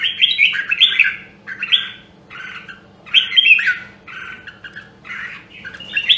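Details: Red-whiskered bulbul with a Nam Đông, Huế voice, sung as voice training to spur competitive singing. Quick chortling phrases repeat about every second, mixing sharp upslurred whistles with lower mellow notes. A soft steady hum lies underneath.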